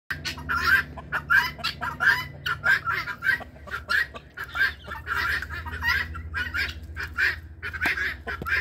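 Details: Domestic guineafowl flock squawking whenever they feel threatened, including when their keepers approach: harsh, grating two-part cries repeated rapidly and overlapping, about one and a half per second, with a low steady hum beneath.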